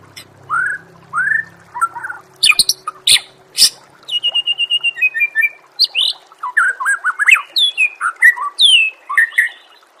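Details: Murai song used to train competition songbirds: rich looping whistles, sharp clicks, a steady run of evenly repeated level notes, then energetic rising and falling warbled phrases.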